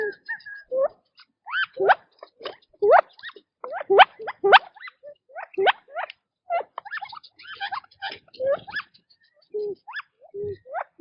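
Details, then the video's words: Scattered short upward-sweeping chirps come from quail feeding in their natural habitat, irregularly spaced about once a second with brief soft notes between, and a few lower clucking sounds near the end. "Quail Birdsong in Nature - Relaxing Chirping Sounds"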